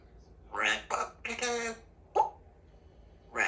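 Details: Two-year-old female Congo African grey parrot kept as a pet in a country home, talking with her owner. Short squawky, voice-like syllables with rising and falling tones, two close together, then a longer harmonic phrase and a brief note.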